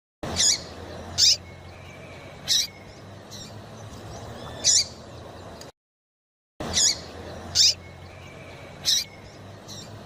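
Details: Calls of a female yellow-bellied seedeater, played to warm up males: short piercing chirps spaced irregularly, a faint level whistle trailing after some, a brief silent break midway, then the chirps resume.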